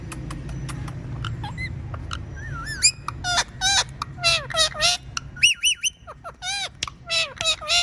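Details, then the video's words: Pet talking parrot with rapid clicks and chirps building into a lively stream of wavy, looping whistles and short squawks, low hum early on. "Talking Parrot Says Funny Words and Whistles Perfectly"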